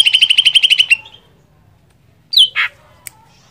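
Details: Greater green leafbird song intended to stir another leafbird into singing: an opening second of quick buzzy repeated notes, then silence broken by a downslurred squeal and a harsh rasp.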